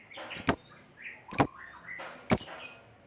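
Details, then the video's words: Lovebird calling in sharp, piercing high chirps spaced roughly a second apart, with quieter scratchy chatter between them; used as a lure to stir other lovebirds into song. "Lovebird Gacor Ngekek Panjang Ini AMPUH Memancing Lovebird apapun Jadi Fighter dan Rajin Bunyi"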